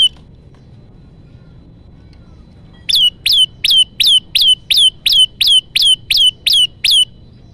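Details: Olive-backed tailorbird lure song for trapping birds: after nearly three seconds of near silence, a fast run of about thirteen loud, clipped chirps, each a quick rising-then-falling note, evenly spaced to the end.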